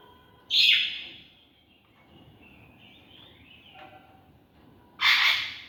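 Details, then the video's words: A caged macaw climbing on its net gives two loud, harsh, raspy squawks about four seconds apart, with quiet, faint chatter in between. "Noise of Birds|Macaw"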